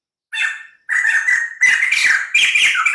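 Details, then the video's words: Harsh, rich chattering from a white-crested laughingthrush in three loud bursts, with grating, noisy notes running under a whistled tone. "POKSAY JAMBUL PUTIH GACOR DOR"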